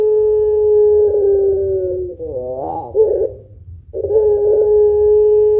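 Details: Long-voiced puter pelung dove cooing as a lure for other birds. A smooth sustained tone is broken by a wobbling, rising-and-falling throaty phrase, then a brief hush, then the steady tone resumes.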